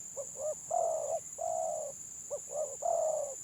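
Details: Stuttering-style spotted dove singing in a contest: paired short hooting notes followed by long, even, slightly trembling coos, the phrase repeated, with a constant high-pitched hum behind.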